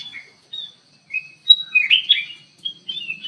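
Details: Ruby-throated bulbul in an aviary: spaced clear whistles followed by a louder burst of tumbling slurred notes, then a few softer whistles.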